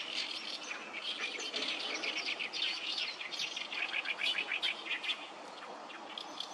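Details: On the Sawatari River, 7 June 2024, a noisy gathering of oriental reed warblers gives grating, rapid chattering phrases that repeat unevenly and overlap, with a few clearer squeaks in between.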